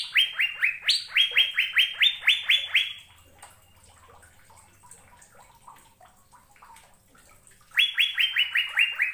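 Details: Asian fairy-bluebird pouring out melodious song: a rapid three-second series of crisp falling whistles with a high accent early on, a pause of several seconds, then the same fast whistled rhythm returns.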